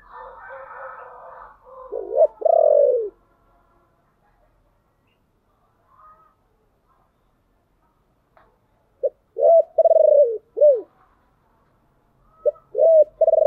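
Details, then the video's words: Low 'chìm' coos of a spotted dove, a lure call meant to attract wild doves. A hoarse murmur comes first, then a falling throaty coo. Later come short, arched, rough coo notes in bursts of two to four, separated by silence. "tiếng chìm cu gáy"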